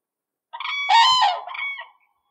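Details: Common (Eurasian) crane, Grus grus, recorded at Hunneberget, gives one loud, rolling trumpet lasting about one and a half seconds, rich and piercing, rising to a peak midway before tailing off.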